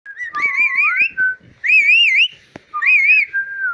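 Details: A pet Indian ringneck parrot (Rose-ringed parakeet) giving three clear, warbling whistled phrases, each wavering up and down about a second long, with brief soft clicks between them.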